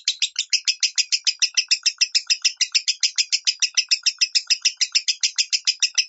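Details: {'text': 'Lovebird singing the minor tone, used to train pet lovebirds to sing it. Loud, high, bright chirps repeat steadily about four times a second without a break, with no other sounds.'}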